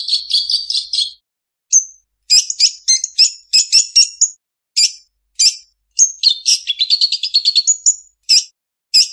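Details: Long-tailed shrike, or cendet, in a song rich with borrowed calls of other birds, a chicken and chicks: a high rapid trill, then sharp varied chips, short whistles and a quick descending twittering series, all clear and loud.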